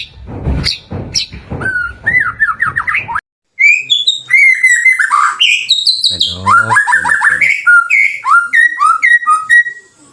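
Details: Lure song of a white-rumped shama, used to get kept shamas singing: a few harsh noisy notes, a short silence, then a rich run of varied whistles, slurs and rapid chatter.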